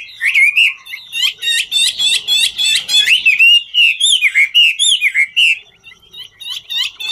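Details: Chinese hwamei singing in the 'ngũ trường' style while dancing: fast run of loud, rich whistled phrases, mixing rapid trills and slurred rising-falling notes, about three notes per second, with a few clearer swooping whistles toward the end.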